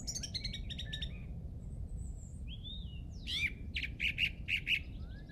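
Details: Birdsong from a golf course in England, Easter Saturday 2007: a fast, sharp rattling trill opens, followed by a soft high whistle, a sliding note, then a burst of quick repeated chirps, with steady low background hum.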